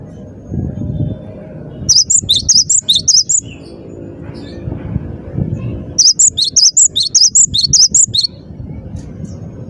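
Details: Persistent gacor singing from a Cinereous tit (gelatik batu): two fast runs of high, clear, see-sawing whistles, each lasting a couple of seconds and separated by a quieter stretch of low rumbling background noise.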